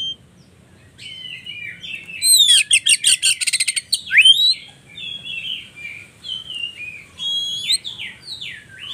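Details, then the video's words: White-rumped shama lure song, phone-recorded, meant to excite caged shamas: a quieter run of sliding whistles and a buzzy rattled trill, then softer scattered notes. "Pancingan Burung Kacer"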